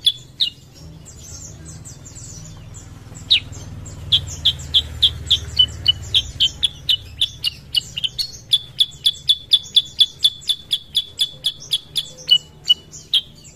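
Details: Sooty-headed bulbul (kutilang sutra) used as a singing lure for other birds: after a few isolated notes and a pause, a long run of crisp, high, rapidly repeated chirps about four per second, over faint low hum.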